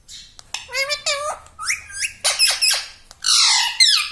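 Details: Pet parrot talking at home, imitating words like "Mummy" and "Papa": strings of high, nasal, human-like syllables with gliding pitch, ending in a loud raspy outburst, with faint clinks in the room.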